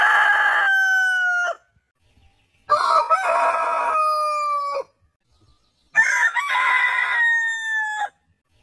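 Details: A rooster from a heritage chicken breed compilation gives three long crows, each about two seconds with a slight falling tail, separated by short silences.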